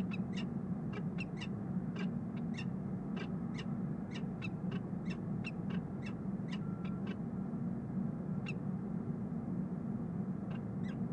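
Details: Nest-camera recording of a peregrine falcon pair bonding in their box on the Rhodes Tower, Columbus, Ohio, on March 9, 2015. Rapid bursts of brief clipped notes come in quick series, pausing near the end, under constant low-pitched background hum.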